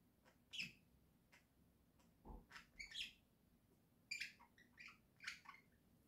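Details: Home flock of pet budgerigars singing indoors in October 2024: busy run of bright, squeaky chirps and warbled notes tumbling irregularly, with a soft low thud near the middle.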